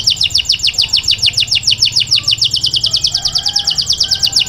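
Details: Grey canary singing inside its indoor cage, a sustained quick rattle of downward-sliding high notes repeated around three times a second, even and bright, over a soft low hum.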